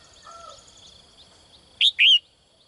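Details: In a cage, a female bird calls in the morning for a strong male; a soft faint whistle comes first, then a loud high double chirp with a rising-falling second note.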